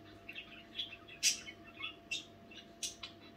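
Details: Sparse budgerigar chatter at night, a few isolated sharp chirps and brief scratchy squeaks spaced by short pauses over a faint background hum.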